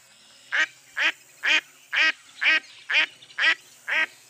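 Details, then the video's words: Quacking of a mottled duck: evenly spaced, loud, buzzy quacks repeated roughly twice a second, each note brief and harsh, with little background noise. "Mottled Duck Call"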